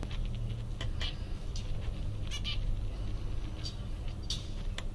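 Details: Five-day-old mandarin duck ducklings giving short, high, scattered peeps, some in quick pairs, over a steady low hum.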